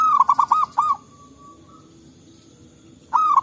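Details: Zebra dove, a local wild bird in forest answering its neighbours, used as a lure: a rolling run of five bubbly coos, a faint held tone, then the next run beginning.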